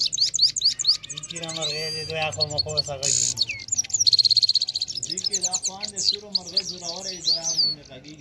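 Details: A Kabul Afghani goldfinch sings a fast, high twittering song of liquid chirps, quick trills and a buzzy stretch, while a person talks softly underneath.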